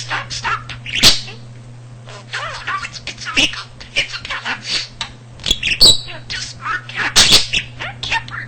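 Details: Pet budgie that learned almost 300 words and phrases by listening around the house, also mimicking a cat's purring; a steady run of chattering warbles, clicks and sharp squeaks, with a constant low electrical hum underneath.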